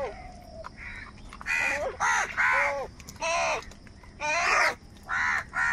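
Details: Harsh, hoarse kaka caws from crows squabbling over food, overlapping calls in quick succession, some drawn out and rasping, others short, against a steady low background noise.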